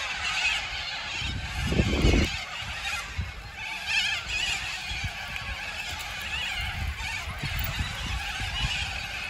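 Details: A flock of little corellas in a tree near the campsite at Karumba, Carpentaria, gives a continuous wash of harsh, raspy screeches and squawks, with low wind rumble underneath.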